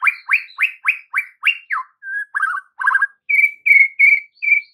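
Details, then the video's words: White-rumped shama singing on a lure recording for prompting young birds to respond in the afternoon; a rapid series of down-swept whistles, a brief buzzy rattle, then even, repeated flat whistles. "PANCINGAN MURAI BATU SORE HARI UNTUK TROTOL DAN PASTOL, AGAR MURAI NYAUT GACOR"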